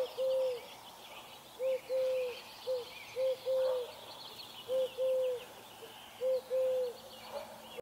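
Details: A dove cooing at dawn: soft, low, hollow notes, mostly a short coo then a longer one, repeated every second or two, over faint distant bird chatter.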